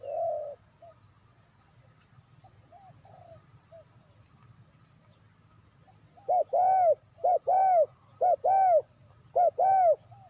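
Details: Lure call of a spotted dove used for trapping wild doves: a faint coo at first, a quiet stretch with distant murmurs, then four loud crisp phrases of two to three rounded coos, evenly spaced about a second apart.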